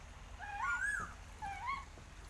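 An Asian koel gives two clear, rising whistled notes, the second shorter than the first, over a low background hum.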